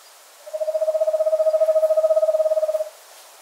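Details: Eastern screech-owl, a nocturnal owl of wooded areas, giving its trill: a level, mellow run of about a dozen rapid notes per second, held steady on one pitch for over two seconds.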